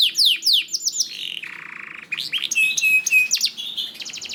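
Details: Canary song meant to spur other canaries into singing: bright downslurred notes, then a flat buzzy rasp, followed by clear whistled notes and a quick high trill.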